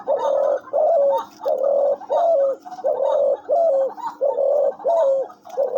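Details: Captive decoy dove calling jhumur nonstop: a steady series of eight deep, hooting coos, each with a short drop at the end, repeating roughly every three-quarters of a second with brief gaps.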